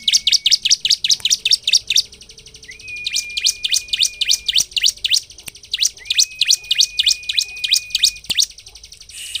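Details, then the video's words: Bar-winged prinia (ciblek) in full song, used to agitate other prinias into singing: long, fast runs of sharp, high chips, with a thin steady whistle running beneath several passages. "Ciblek gacor untuk pancingan ciblek agar emosi dan cepat ngebren"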